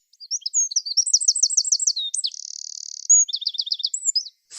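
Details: A Eurasian wren pours out a shrill, very high, rapid song of fast rattling trills and a buzzy sustained reel, run together in under five seconds; such songs pack about a hundred notes into three or four seconds, sung for female wrens.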